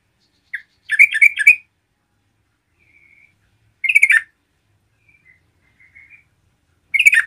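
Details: Energetic yellow-vented bulbul song aimed at provoking other bulbuls: three bursts of bubbly, liquid chattering notes about every three seconds, with faint soft whistles between them.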